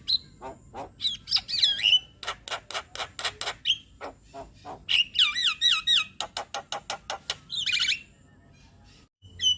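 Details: Javan myna, a young bird, heard in a sound meant to get young birds singing: quick rattling clicks about four per second, interleaved with looping whistled phrases, ending in near silence.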